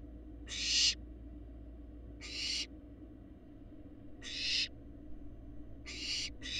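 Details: Barn owl fledglings grown almost to adult look, on a live Florida nest cam: a series of harsh hissing screeches about every two seconds, ending in a rapid double, over low constant hum.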